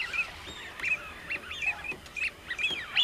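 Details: A large gathering of common cranes calling over one another. Bugling notes rise and fall, with short bright peaks, in a steady chorus that fills the clip. A few fainter calls sit in the background.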